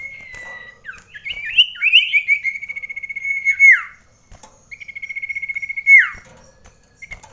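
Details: Common iora kept indoors, competing in a close-range song contest: long steady trills of rapid repeated whistled notes ending in a falling slur, with brief rising warbles, phrases repeated after short pauses.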